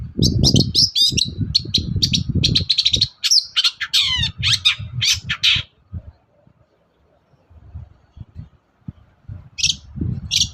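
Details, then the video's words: Morning song of a long-tailed shrike, played to provoke other shrikes into replying: dense bursts of chattering, scratchy notes and quick sweeping whistles, then a near-silent pause and a few isolated chips, with low rumbling underneath. "BURUNG CENDET GACOR PAGI HARI BIKIN CENDET MANAPUN LANGSUNG NYAUT"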